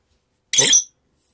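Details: Pet lovebird, which seems to have a lot to say and is not bathing in the cold weather, gives one harsh, shrill screech lasting about a third of a second, then silence.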